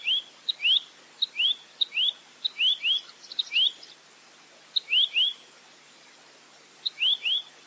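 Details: Velvet-fronted nuthatch in a clear 'full roll tembak' tutor recording: groups of ticks and paired rising whistles, broken by a pause of over a second before resuming.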